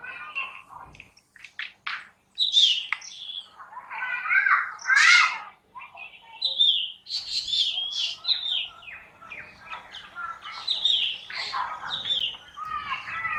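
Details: Black drongo (Dicrurus macrocercus) calling: a busy run of sharp chirps, squeaky whistles and harsh, varied notes that rise and fall and come in quick bursts almost without pause over about thirteen seconds.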